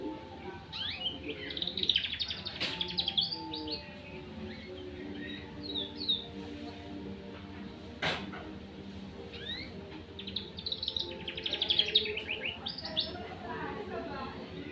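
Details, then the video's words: Two-month-old canary learning its song: scattered twitters and whistled slurs building into two dense chirping bursts, with loud sharp clicks at intervals and a steady low hum. "suara kenari loper,paud usia 2 bulan belajar bunyi"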